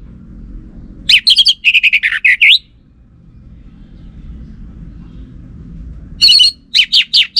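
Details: Orange-headed thrush, said to be a female, in northern Bali gives two bursts of loud, varied whistled and chattering phrases, high-pitched and rapid, separated by about three seconds of quiet.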